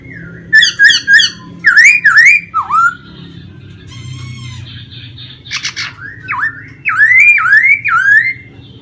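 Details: Captive laughingthrush in Vietnam, performing its song-and-dance display with spread tail; a lively run of looping whistles, quick repeated chirps and harsh squawky notes, varied and loud, over a soft indoor hum.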